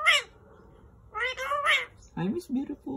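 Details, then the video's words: Indoor male green Indian ringneck talking: shrill, nasal word-like phrases in two bursts, then a lower-pitched voice speaking near the end. "Male Green Indian Ringneck Talking"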